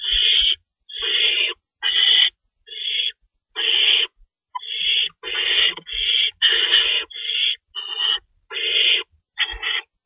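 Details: Night feeding time at an owl nest, March 25, 2012, 3:53 AM, rabbits stocked in the nest: a run of about fourteen rasping, breathy screeches, each roughly half a second, coming at uneven gaps, with soft knocks underneath.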